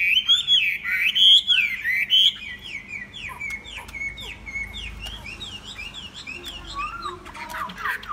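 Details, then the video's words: Tame Chinese hwamei singing: loud, varied whistled phrases in the first two seconds, then a run of short, quick, down-slurred notes repeated at a steady pitch, ending with rising sweeps and brighter high notes. "Họa Mi thuần đẹp hót hay"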